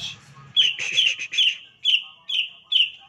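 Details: Green leafbird (cucak ijo) singing in the 'tembakan' (shooting) lure style used to provoke other leafbirds into song: a burst of chattering notes, then sharp, high whistled notes repeated about every half second.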